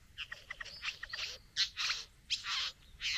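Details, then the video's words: At the bower a courting satin bowerbird displays to a female: a quick run of short clicking, ticking notes, then several longer harsh, hissing buzzes. "Bowerbird. ( Courting female at the bower)."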